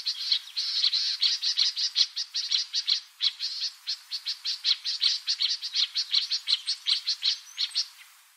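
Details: Yellow-breasted Apalis in the Port Alfred area, Eastern Cape, South Africa, calling a long, steady run of sharp, high chirping notes, about three or four a second, sustained for several seconds.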